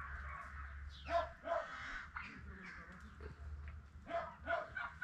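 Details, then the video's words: Spalding emerald peafowl on a peacock farm. Loud, short, harmonic honking calls come in two pairs, near the start and again near the end, with quieter gaps and a low background rumble between them. "Peacoks farm, spalding emerald"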